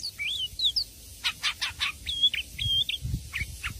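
Oriental Magpie-Robin song: clear high whistled slurs broken by a quick run of harsh, buzzy rattling notes, then more sharp whistles, with faint low thumps behind.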